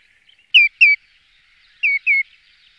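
Common greenshank giving clear, ringing, down-slurred whistles in two quick pairs, "tew-tew ... tew-tew," about a second apart, with a faint background hiss.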